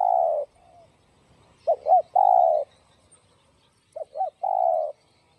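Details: Cu gáy, the spotted dove, in the copper-voiced style used to excite and lure rival doves: a long coo, then two short hooked notes and a sustained mellow coo, given twice in a quiet setting.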